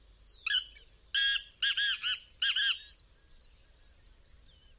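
Black francolin giving one harsh, grating phrase: a short lead note, then four loud, rasping syllables packed into about two seconds. Faint chirps from small birds follow.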